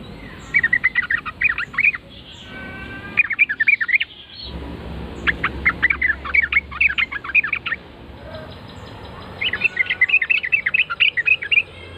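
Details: Yellow-vented bulbul replying after a lure call: repeated phrases of fast, chattering, bubbly notes delivered in four bursts separated by short pauses, over steady low background noise.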